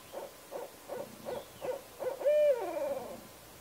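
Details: Barred owl hooting: a series of short, low hoots spaced about every 0.4 seconds, building to a louder drawn-out hoot that slides down into a descending, wavering ending, over a faint hiss.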